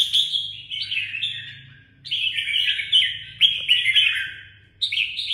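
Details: Red-whiskered bulbul kept as a songbird in Vietnam sings sweet, tumbling warbled phrases in several bursts with short gaps, one crisp click midway, and a faint low hum throughout.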